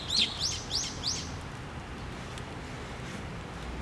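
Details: A quick series of four sharp, high chirps in just over a second from sparrows gathering at a post feeder at a Tenmangu shrine, 24 June 2023, followed by quiet background hum.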